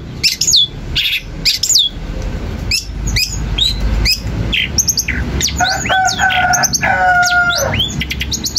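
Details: Long-tailed shrike song used to provoke replies from other shrikes: loud, spaced, sharply rising whistles, then a quicker chatter leading into long, level, harmonic tones near the end.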